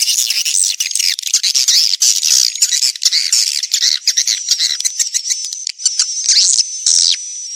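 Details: Swiftlets giving a mating call, 'lintas senja' version dated 2023 and meant to attract the birds: loud scratchy squawking chirps in rapid irregular runs, then sparser clipped buzzes over a faint steady high tone.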